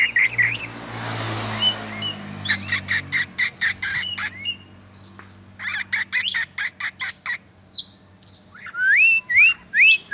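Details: Oriental magpie-robin, a kept bird being exercised, gives sharp dry clicks and short chips, then a run of loud rising whistles near the end, over a low hum and a rushing noise at the start.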